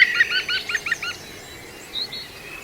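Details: ['Juvenile female European green woodpecker, Walthamstow Waterworks Nature Reserve, London, UK, 5 September 2022: a quick burst of about six bright, hooked notes, then faint higher chips over quiet background.']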